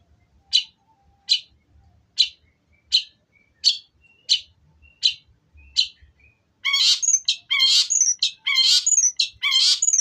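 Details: Long-tailed shrike singing Tengkek Buto material: about eight sharp, evenly spaced high chips roughly once a second, then a dense burst of rapid, scratchy, warbled notes with sweeping whistles.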